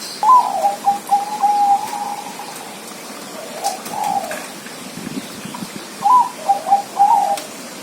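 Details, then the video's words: Zebra dove song: a series of short, high, rapid coos and trilled notes, given in two bursts separated by a quieter pause, with a faint steady background hiss. "suara perkutut"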